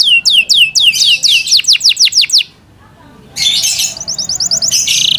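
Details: Pet Yorkshire canary giving a loud series of descending whistled notes, a short silent gap, then a buzzy chattering phrase and a fast high trill.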